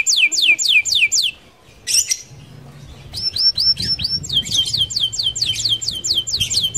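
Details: Canary giving fast rolling song to lure other canaries: series of high falling whistles, a brief pause with a harsh burst, then the trill resumes, quicker and denser, over a low humming background.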